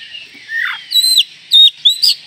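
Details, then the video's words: Oriental magpie-robin call said to provoke other magpie-robins within seconds: a descending slurred whistle followed by three loud, clipped whistled notes that swoop down, each with a sharp high overtone. "panggilan Kacer ini mampu mendobrak emosi semua Kacer dalam hitungan detik"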